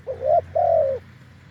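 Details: Deep-voiced wild spotted dove at a decoy perch giving a single phrase: a short rising coo, then a longer, smooth, level coo that fades out.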